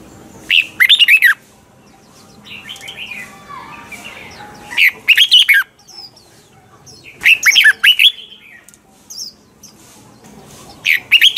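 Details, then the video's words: Red-whiskered bulbul giving a mature wild bird's double-note song, used as a lure for training birds: about five quick chirping phrases of warbled notes, with a fainter descending call between the first two. "chào mào hót âm kép già rừng hay tuyệt!"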